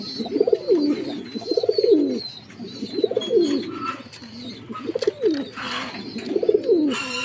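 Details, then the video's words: Fancy Jacobin pigeon giving a series of deep, arched, bubbling coos, each about a second long with short pauses between, while small birds twitter faintly in the background. "Jacobin Pigeon"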